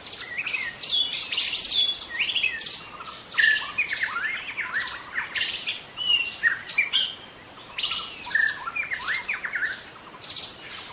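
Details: Forest-dwelling young White-rumped Shama in full song: a rich, fast run of clear whistles, trills and sliding notes pouring out almost without pause over a constant high background hiss.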